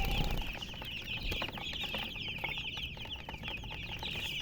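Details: Chickens chirping: a continuous, shrill, overlapping chorus of high peeping notes over steady background noise, with occasional low thumps.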